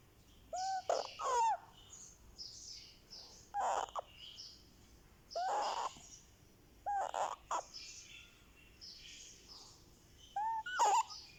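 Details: Month-old Indian ringneck parakeet chick making sweet sounds while getting a head massage: short harsh arched squawks repeated every two to three seconds, with faint high chirping of other birds in the background.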